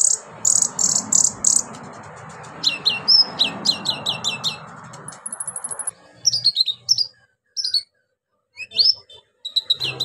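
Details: Orange-headed thrush in vigorous song with mimicked fills, aimed at stimulating silent birds: fast rhythmic chip series and high trills over a broad background hiss, then spaced clear whistles.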